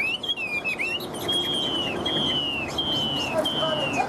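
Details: Chinese hwamei kept in a cage and in fiery singing form: a few quick warbles, then long, clear whistled notes that each slide slightly downward, repeated about every second.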